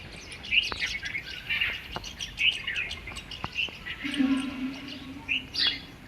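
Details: Morning garden birdsong: several birds give overlapping high chirps and twitters, with a low steady hum partway through.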